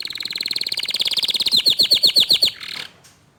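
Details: Canary song, with young untrained canaries responding to a loud, nonstop-singing canary: rapid, even trills of high buzzy notes about four per second, switching midway to louder, sharper downslurred chips before fading.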